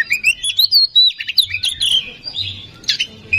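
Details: Oriental magpie-robin singing fast and high, used as a lure: sweet rising whistles mixed with sharp chirps and twittering phrases, almost without pause, over a faint low rumble.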